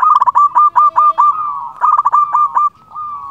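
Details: Local zebra dove calling to rivals: quick stuttering runs of mellow mid-pitched cooing notes, then a slightly falling sustained coo, with a second burst of rapid notes after a short pause.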